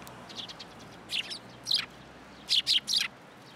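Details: Sparrows gather for food at a pillar of a Tenmangu shrine on 7 January 2023, uttering high, slightly rough chirps. Three loud ones come in a fast burst near the end, with softer chirps earlier.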